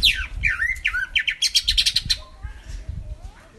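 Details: Lure song of a lesser green leafbird (cucak ijo mini), meant to prompt a silent bird to sing: quick falling and swooping whistles lead into a run of fast, sharp, high chips, then fade to soft thin whistled notes.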